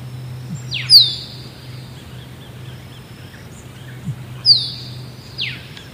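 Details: Musk duck: two bursts, each a low thump then a shrill downward-sliding whistle, about three and a half seconds apart, over a steady low mechanical hum.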